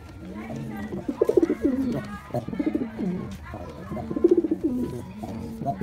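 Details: Male white pigeon performing, a series of low, throaty coos with rising and falling pulsed phrases around two bursts, several overlapping pigeons cooing in the background.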